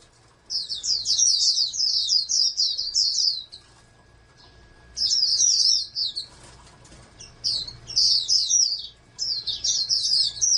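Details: An oriental white-eye in a breeding collection, aimed at national contests, sings rapid high twittering bursts separated by silent gaps of one to two seconds. A soft rustle, perhaps of wings, is heard between phrases.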